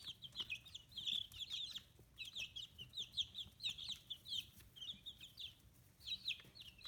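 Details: Free-range domestic chicks, fifteen days old with feathers growing, in Kitahiroshima, Hiroshima, Japan; chorus of high, quick peeps in rising and falling bursts, pausing briefly before another round of chirping.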